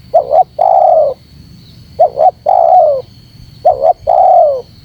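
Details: Spotted dove call played to lure birds: three evenly spaced phrases of two clipped rising notes and a long, mellow, falling coo. A faint high tone continues underneath.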